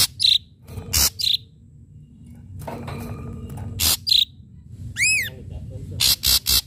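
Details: Ashy drongo singing hard with sharp strikes: harsh rasps and short high whistles, then a stacked rising swept note, ending in a quick cluster of rasping notes.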